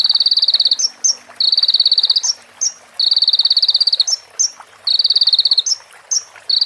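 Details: High buzzy trills from a konin sunbird, sung as a master track for training other birds, said to include female prinia and ciblek motifs. The trills repeat about every one and a half seconds, each ending in quick sharp flicks.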